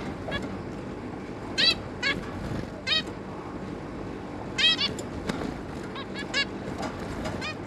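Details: Zebra finches, a pair with their three juvenile young, recorded 11 May 2022: short nasal, honking calls rich in harmonics, given singly or in quick clusters at irregular intervals over about eight seconds, above a steady low background hum.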